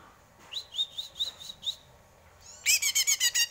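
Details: Greater green leafbird: six rising whistled notes spaced evenly, then a loud fast run of high harsh chirps.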